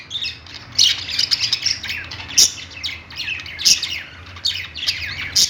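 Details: Budgerigars chirping together in a pet store: rolling, buzzy warbles with sharp squeaks standing out about once a second, low mechanical hum in the background.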